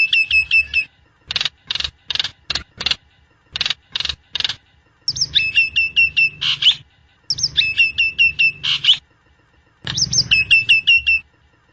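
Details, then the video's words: Nias hill myna, recorded as a master or lure track: clusters of loud, harsh clicks and rasps alternate with runs of repeated whistled downslurs, with several phrases over the span. "Kicau Burung Jalak Nias"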